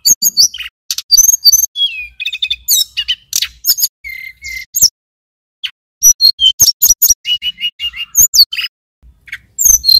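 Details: Energetic male mountain tailorbird song recorded in Banyuwangi, with high chips, slurred whistles, a repeated pair of level whistled notes and clicking bursts, pausing for about a second midway before resuming a rapid series.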